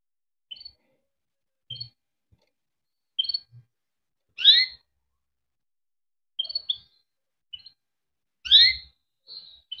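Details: Kept canary, raised by its owners, giving 'cuit cuit' chirps: short, separate high chirps and a few louder downslurred notes, spaced about a second or more apart, with silence between.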